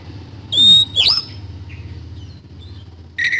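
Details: Oriental magpie-robin (kacer) in 'isian kasan' song: two loud notes, a pure high whistle and a swept rasp, a soft faint note, then one more shrill call over a steady low hum.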